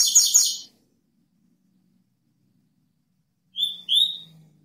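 A double-collared seedeater gives a brief, buzzy high burst, then after a pause two sharp, slurred whistled notes. The song is broken off; nothing else is heard.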